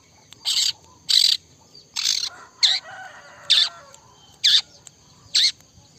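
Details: Cendet singing harsh, high, buzzy bursts about every second, each short and rasping, with softer lower chatter between bursts and a constant high hiss in the background.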